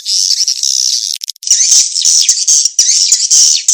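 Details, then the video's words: Swiftlet mating-chase call played as a lure: loud raspy high chatter with a brief gap, then wavering buzzy twitters swooping up and down. "SUARA PANGGIL BURUNG WALET‼️ SP KEJAR KAWIN TERBAIK DI VERSI NYA"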